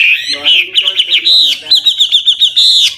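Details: Old wild Chinese hwamei singing varied, switching phrases to stimulate young birds; a long clear whistle followed by quick wavering notes and a rapid string of short bright chirps.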